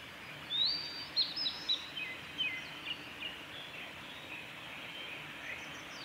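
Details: A male Blue-and-white Flycatcher sings at Kanazawa forest road, Lake Miyagase, on 7 May 2020: a quick run of high, thin whistled notes that trail off after about two seconds, over a steady hiss of background noise.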